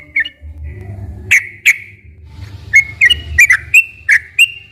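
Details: Sooty-headed bulbul recording used as a lure to set quiet captive bulbuls singing: scattered short, clear whistled notes, several rising or slurred, with gaps at first, then coming faster near the end, over a low rumbling background.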